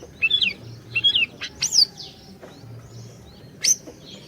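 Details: Orange-bellied leafbird song for luring a silent bird into singing: paired slurred whistles repeated twice, then sharp high down-slurred notes and a lone piercing chip after a pause; faint low hum beneath.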